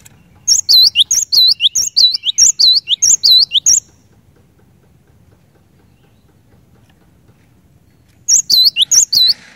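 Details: Cinereous tit singing gacor-style to prompt rival tits to sing: a three-second string of quick, high, ringing whistles with slurred upward-curving notes, a long pause, then another brief burst of the same pattern.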